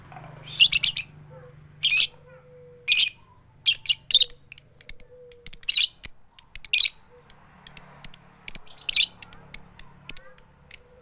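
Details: A female lovebird calling a male mixes loud rasping 'keyok' screeches with long runs of sharp high 'tik' notes, without chattering. A low hum sits in the background.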